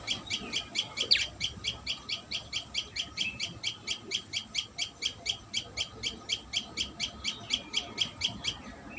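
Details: Common tailorbird calling at the nest, a long unbroken run of rapid, high, clipped chirps, evenly spaced at roughly four per second, loud and insistent throughout.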